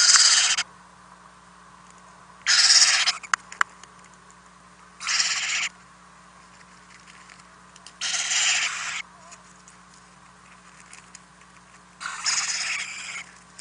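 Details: Owlets in a nest box at night while parents deliver food, April 10, 2018, nest camera: five softer hissing screeches, each well under a second, spaced roughly every two to four seconds over steady low hum.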